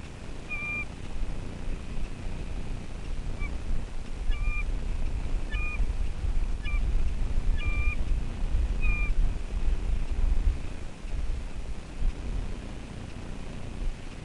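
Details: Thin, high peeps from a newly hatched bald eagle chick at its nest at Two Harbors, Catalina, California, USA (11-4-23). The peeps are short and slightly falling, repeated about once a second for nine seconds over a steady low rumble of wind.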